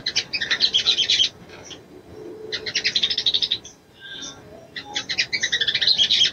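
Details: Female little spiderhunter summoning a male, her high chips delivered in fast rattling bursts of about a second each, separated by short pauses.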